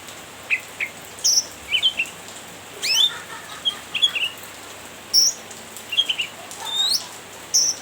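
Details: Cucak ranting, a lively bird chirping to provoke a rival: sharp high chirps and steep downward-sweeping notes in short bursts spaced across the recording, over a steady faint background hiss.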